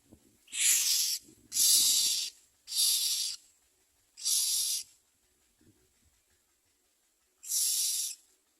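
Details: Young myna chicks begging for food with five harsh, hissing rasps, each under a second, coming in a quick run then after a pause; faint low rustles between.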